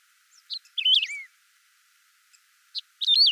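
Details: Clean, original recording of a saffron finch song: soft high chips, then a rich, tumbling whistled phrase that falls in pitch, and a second phrase beginning after a short gap. No other sounds.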